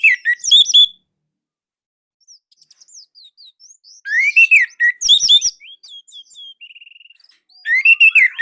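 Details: Indonesian orange-headed thrush singing a loud, tight tutor song meant to prompt other birds to sing. Short dense bursts of high chirps and slurred whistles alternate with quieter rapid ticking notes and a brief trill.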